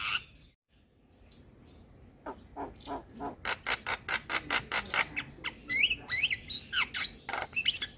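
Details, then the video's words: Nodding Javan myna in full song, used as a lure and therapy for moulting birds: after near silence, a steady series of harsh, clipped squawking notes builds, repeated roughly twice a second, with whistled slurs near the end. "Kicauan Jalak Kebo Full Manggut2 Buat Pancingan Dan Terapi Jalak Mabung"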